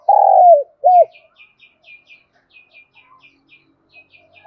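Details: Spotted dove decoy bird calling in the morning to lure wild doves, with a voice in the local thổ style: a long, slurred, falling coo and a short arched coo, followed by faint, rapid, high chirps from small birds.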